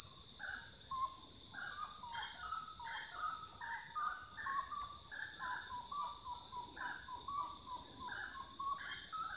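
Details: Common gallinule producing a long chattering sequence of short clucks that quicken into a rapid run midway, with a steady insect drone throughout.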